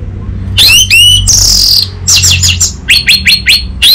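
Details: Captive orange-headed thrush from Singaraja, north Bali, Indonesia, singing a loud lure recording for untrained birds: rapid rising whistled slurs, a buzzy descending sweep, then clipped repeated chirps, over a low hum.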